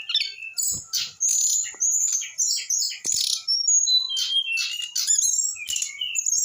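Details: Brown-chested jungle flycatcher, an eight-month-old bird, singing a dense varied song of clear whistles, rising and falling slurred notes and harsh chattering bursts, delivered in quick phrases with short gaps.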